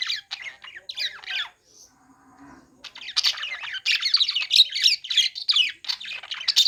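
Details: Budgerigars chirping while playing: scratchy warbled notes, a quieter low murmuring pause, then a long, dense, loud burst of rapid squawky chatter.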